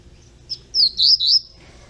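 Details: Young double-collared seedeater, captive, delivers a brief run of three connected high whistled slurs, thin and bright, over a quiet background.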